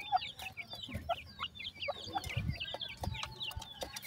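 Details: Feeding-time chatter from five grey francolin chicks beside a female: rapid overlapping high chirps that drop in pitch, plus soft low thumps and a few clicks.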